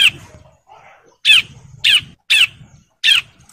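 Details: Male bar-winged prinia in breeding condition calling females: four loud, separate harsh rasping notes spaced roughly every 0.6 to 0.7 seconds, with faint softer sounds between them.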